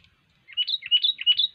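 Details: Sooty-headed bulbul singing vigorously, three bright warbled phrases between mid and high pitch, each rising then falling, following one another in quick succession after a brief quiet start.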